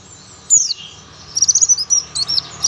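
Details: Brief burst from a young buxtoni Oriental white-eye in tembakan style: one loud descending high whistle, then a rapid chattering run of very high twittered notes.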